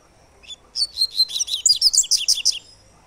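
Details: "Tui tui" three-note song type of the Double-collared seedeater: a fast, high-pitched string of about a dozen crisp chirped notes lasting two seconds, in a quiet setting.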